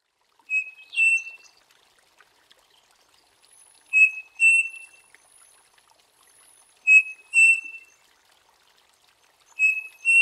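A striped cuckoo gives clear, pure whistled phrases of two notes, the second slightly higher, every few seconds.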